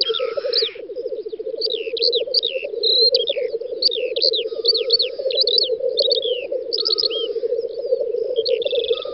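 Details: Black grouse males display at a spring lek in a field in western Russia, May 2019. A steady pulsing, bubbling rumble runs throughout, overlaid by many rapid, descending whistled notes from other birds.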